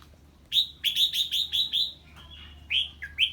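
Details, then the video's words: Red-whiskered bulbul in ché song, triggered by the voice of a strange bird: six rapid, evenly spaced bright chirps in a row, then a short pause and a few louder slurred, up-and-down notes. "Chào Mào Hót Ché Khi Nghe Tiếng Chim Lạ"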